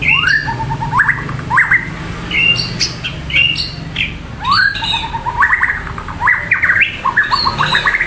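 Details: A white-rumped shama gives a melodious song of repeated rising, slightly harsh phrases, each swept quickly upward, with short pauses between, over a steady low hum.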